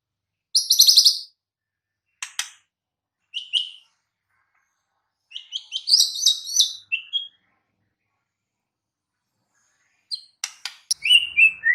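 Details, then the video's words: Wild white-rumped shama: a short harsh buzz, dry clicks, a thin note, then a lively jumble of high chattering, twittering phrases, a pause, and further clicks with a descending whistle. "Kicau KHAS Murai BATU di ALAM LIAR"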